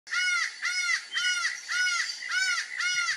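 Laughing Falcon giving six loud, nasal, arched notes at about two per second, harsh and rich in overtones, with no other sounds.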